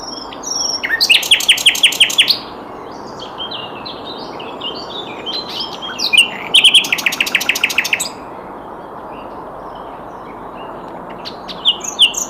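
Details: Sikatan londo flycatcher song in varied styles: two rapid, rattling bursts of evenly repeated high notes, each lasting over a second, separated by scattered soft chirps and twittering, with a steady low background hiss.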